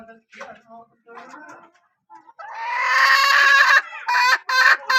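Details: Faint voices and soft clucks are followed by a loud, sustained, harsh hen call that breaks into short bursts at the end.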